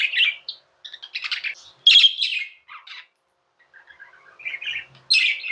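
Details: Tamed budgerigars kept as pets give a lively warble of grating chirps, squeaks and buzzy notes in short bursts with gaps, ending on a loud scratchy call.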